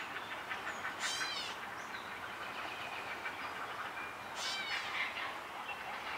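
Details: Young great blue heron in its nest with an adult during feeding, South Bend, Indiana, 13 June 2016 around 12:45 pm: two harsh, rattling bursts of clattering calls about three seconds apart, over steady hiss.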